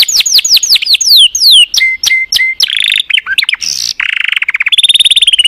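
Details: Loud canary song: a run of sharp falling whistles, clipped repeated chips, a brief harsh burst, then a fast high rattle of even notes closing the phrase.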